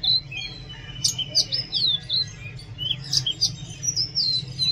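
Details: Oriental magpie-robin song, loud and varied: a continuous flow of sweet whistled slurs that rise and fall, mixed with sharp high notes and short twittering phrases.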